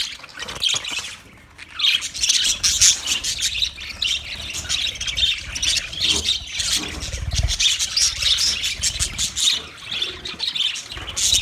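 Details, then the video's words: Several budgerigars chatter at length with raspy squawks and fast twittering chirps, a brief lull early on, and faint low rumbling underneath. "Best Sounds Of Budgie Bird"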